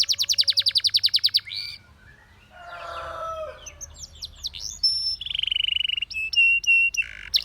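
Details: Canary, a Russian singing canary singing to attract others: a quick rapid trill, then a softer stretch of scratchy warbling, followed by a buzzy rattle and short high whistled notes.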